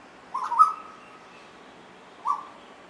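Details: Two Asian koels playing together, one calling: a short rising whistled note, then a second similar note about two seconds later, against a quiet background.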